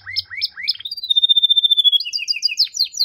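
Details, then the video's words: Canary song opening with rising chirps, then a long, steady whistled note that breaks into quick, bright warbling phrases. "Canary Singing"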